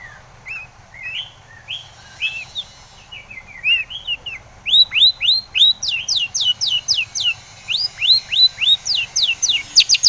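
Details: Long-tailed shrike singing as a lure to draw replies from other shrikes: varied whistled phrases of short rising slurs that grow louder and faster midway, becoming a steady run of sharp upswept notes.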